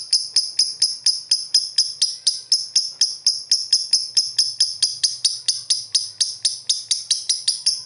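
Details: Lovebird chirping, played to stimulate lovebirds that rarely sing. A long series of piercing, clipped chirps, roughly three to four per second with slightly uneven spacing, continues without pause for about eight seconds.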